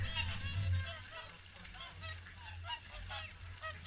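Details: Many swans at the Caerlaverock morning feed honk together in quick, uneven succession over a faint low hum.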